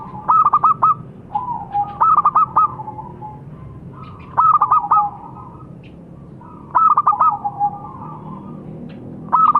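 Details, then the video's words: Zebra dove, local perkutut type, singing phrases that open with a few sharp, stuttered notes and trail into a softer descending coo, repeated roughly every two seconds. "Suara Burung - Perkutut Lokal"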